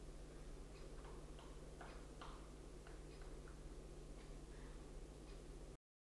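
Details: Woodpecker at work on 11 February 2012: scattered wooden knocks, some in quick pairs and others spaced apart, sound faintly over a constant low electrical hum.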